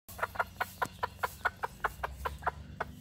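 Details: Bantam hen calling her chicks to come and eat: a steady run of about a dozen soft, low, rhythmic clucks, roughly four per second, over a low background hum.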